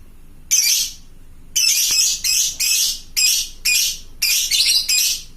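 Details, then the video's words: Lovebird of the fighter type giving long chattering ngekek calls to other lovebirds: harsh, shrill, screechy bursts about a third of a second long, repeated at irregular intervals of roughly half a second to a second. "suara burung lovebird fighter gacor ngekek panjang memanggik teman"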